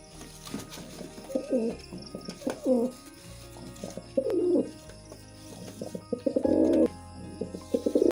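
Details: Mating pigeon giving a run of short, irregular, low coos and gurgling fragments, ending in a longer rolling coo near the end, with a steady low background hum throughout.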